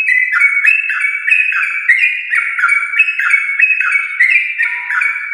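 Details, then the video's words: Yellow-vented bulbul from a champion line, long rapid chattering song for prompting household bulbuls: flowing whistled phrases sliding and stepping in pitch, continuous, with faint high clicks. "Trucukan gacor ropel panjang TRAH JUARA untuk pancingan trucuk rumahan"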